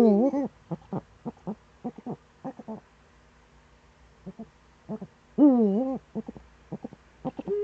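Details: Eurasian eagle-owl recorded in the Eifel, Germany, 26 September 2013, early morning: a rough, overtone-laden wail opens and recurs midway, separated by irregular runs of short, low, knocking notes.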